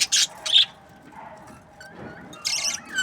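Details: Budgerigar breeding pairs: two sharp squawks, a quiet gap with soft warbling, then a harsh buzzy burst and a rising whistle at the end.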